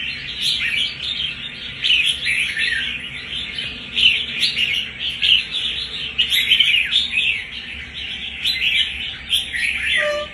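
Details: Continuous busy warbling from a newly caught red-whiskered bulbul, one month in captivity and displaying fighting spirit. Notes tumble together rapidly with frequent surges in volume.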